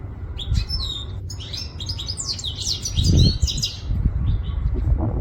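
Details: Goldfinch from Quetta delivering a quick tumbling phrase of sweet twittered and slurred notes, with low thumping background noise rising midway.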